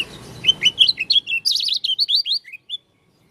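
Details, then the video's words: High, hurried warble from an Oriental white-eye, dakun variety of Lombok, heard singing an unusual song: a string of sliding chirps quickening into a twittering cluster, then tapering to a few spaced, downslurred notes. "Pleci dakun lombok suara aneh"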